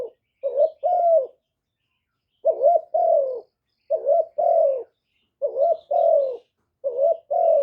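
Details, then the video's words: Lure spotted dove calling to attract other doves, recorded without noise: short-then-long cooing phrases repeated about six times, with a longer pause after the first. "Tiếng chim cu gáy mồi chuẩn kích bổi mỗi ngày, tiếng cu gáy gọi"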